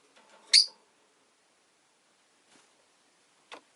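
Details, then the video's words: Rosy-faced lovebirds caged by a window: one sharp, shrill chirp over a faint murmur, then two soft clicks or taps. "Lovebird Chirping Sounds"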